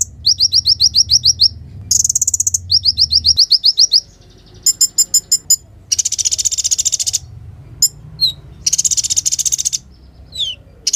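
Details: Van Hasselt's sunbird, called kolibri ninja, in natural song: fast series of sharp rising chips, ticking clusters, then long hissing high trills and a few scattered falling whistles.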